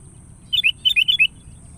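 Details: A sooty-headed bulbul calling to a rival with one short phrase of five or six liquid, warbled whistles, rapid and slightly descending, over a faint constant high hum.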